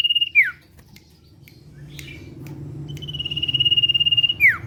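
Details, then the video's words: Common iora singing in the trilling 'ngetir' lure style. The tail of one note falls away, a pause with faint ticks follows, then a second long pulsed whistle ends in a steep downward slur. "Sirtu/cipow gacor ngetir ~ Pancingan suara sirtu cipow ngetir"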